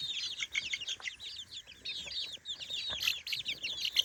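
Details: Three-week-old chicks in a new daytime playpen, exploring and coming up close: a dense chorus of many high, thin peeps, each a quick downward-curving chirp, overlapping constantly with louder bursts near the end.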